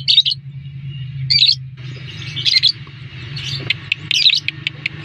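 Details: Lovebird lure call meant to make other lovebirds respond: sharp, high chirps in short bursts, then denser chattering notes from about two seconds on, over a steady low hum.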